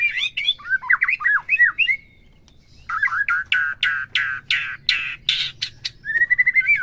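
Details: White-rumped shama song used to provoke a captive bird: looping whistled phrases, a brief pause, then a run of harsh, rasping squawk-like notes and a final thin whistle.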